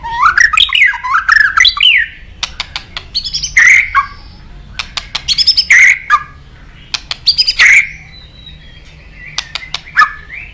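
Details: White-rumped shama in lively song, used to prompt other birds to sing: loud, varied whistled phrases that rise and fall, mixed with sharp clicks and chattering notes, delivered in bursts every second or two.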